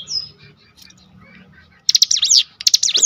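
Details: Cinereous tit lure song for provoking rivals to sing. Faint chirps and low room noise at first, then two loud, quick phrases of clicks and high looping whistles.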